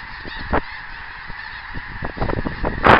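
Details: Geese calling while flying on 24 January 2010: scattered honks, one clear call early, then a quickening cluster of honks at the end over low rumbling noise.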